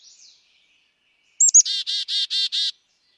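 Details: Black-capped chickadee, Wisconsin, with a faint thin note, then a loud call of two sharp high notes and five rasping buzzy notes in quick, even succession.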